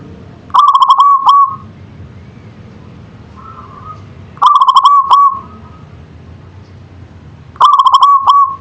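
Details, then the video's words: Local zebra dove (perkutut) in manggung song, three trilled coo phrases about three seconds apart. Each phrase is a quick stutter of notes followed by a brief held note, with a soft faint note between phrases. "Suara Perkutut Lokal Manggung"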